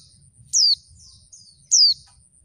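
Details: Call of a female oriental white-eye, used to stir males into answering and singing: two sharp, high, downward-sweeping whistles just over a second apart, with faint softer chirps in between over a quiet low hum.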